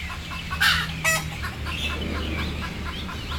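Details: Frightened, sleepy chickens waiting to go on board give two sharp, rasping squawks close together, followed by a string of soft, rapid clucks over a low rumbling background.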